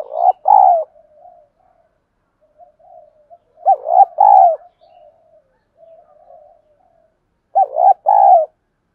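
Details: Female decoy spotted dove giving its one-ending lure call. Three loud double-note coo phrases, roughly four seconds apart, are interspersed with soft muttering coos.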